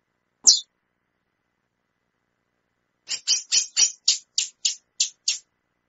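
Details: Female chestnut-bellied seed finch calling: one lone high chip, then after a pause a fast run of about nine sharp, buzzy high notes.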